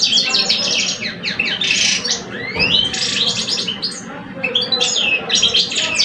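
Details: Singing contest between two caged male goldfinches, a seasoned bird and a two-year-old: dense rapid twitters, trills and rising whistled slurs, nearly continuous, with a faint low rumble beneath.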